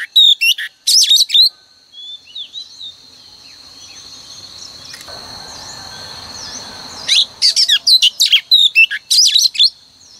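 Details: Morning lure song of a female oriental magpie-robin, meant to prompt males to sing. Loud bursts of jumbled whistles and chirps open and close the stretch, with a long quiet gap in between holding faint, distant high notes.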